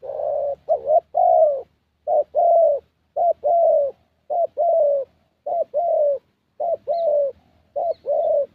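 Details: Young 'thổ' Spotted Dove with a fairly good voice, decoy session in Gia Lai, Vietnam: a regular run of eight two-part coos, short lead note then longer note, nearly once a second.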